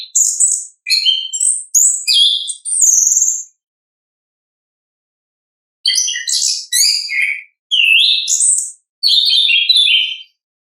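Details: Orange-headed thrush in natural song, used to prompt captive birds to sing: clipped whistled phrases and chips grouped in bursts, a silent stretch of about two seconds, then further high varied notes.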